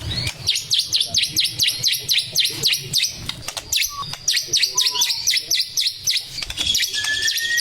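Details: Male white-rumped shama singing a fast series of sharp, repeated downslurred notes high in pitch, with a few lower whistled slurs in between.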